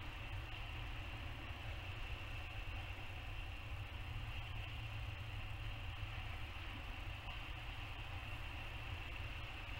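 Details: A steady low rumble like an idling engine runs throughout, with a constant hiss and a faint higher hum. No animal calls are heard.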